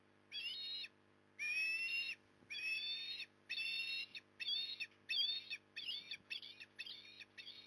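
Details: Osprey at a Port Lincoln, Australia nest, September 2020 afternoon, fish just delivered: a rapid series of about ten loud whistled calls, longer at first, then shorter and quicker, some with rising inflections.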